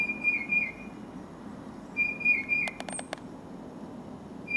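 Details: Whistled song of a tufted titmouse, with a Carolina wren close by: two full phrases of three falling, slurred whistles and the start of a third, separated by a quick series of dry clicks, over faint background hum.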